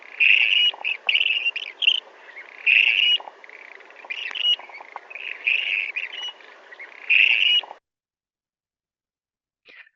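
A Clark's Grebe gives harsh, grating single creek notes, repeated roughly every second or so, over a low steady background hum.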